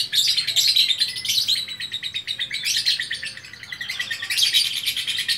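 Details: Nearly unbroken, rapid chattering song of a lovebird from Bukittinggi, West Sumatra, its high, grating notes pouring out in rolling waves.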